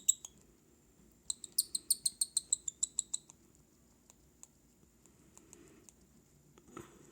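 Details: Baby cockatiel chicks being hand-fed; a quick run of about a dozen sharp, high, evenly spaced chirps packed into two seconds, followed by faint scattered ticks and a short rustle at the end.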